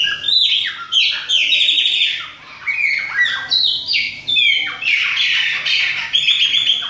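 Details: Bahian-type Chopi blackbird singing in autumn: rich, varied whistled phrases, some clear and falling, others buzzy, delivered in quick bursts with short pauses between them.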